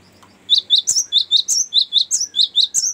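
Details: Cinereous tit in a long rolling song meant for luring and tutoring songbirds: a brisk, even series of about twelve sharp, very high chirps after a brief quiet start.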